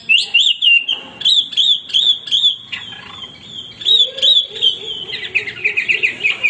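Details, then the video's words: Male hwamei singing without break, used as a song tutor: repeated sharp whistled notes about three per second, a low drawn note beneath, ending in a fast chattering trill. "wambi gacor berkicau tanpa henti cocok buat masteran"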